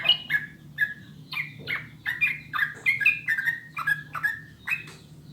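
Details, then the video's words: Clear sooty-headed bulbul song used to lure birds into singing: a series of short, fluty, slurred phrases repeated roughly twice a second in an even, bouncing rhythm, over a soft low hum. "SUARA JERNIH PANCINGAN MASTERAN TRUCUKAN UNTUK BURUNG AGAR CEPAT BUNYI DAN GACOR"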